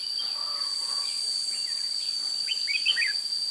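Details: Red-whiskered bulbul at a decoy trap, 16 June 2017: faint low whistles followed by a lively run of sharp, bouncing whistled notes toward the end, under a steady high insect drone.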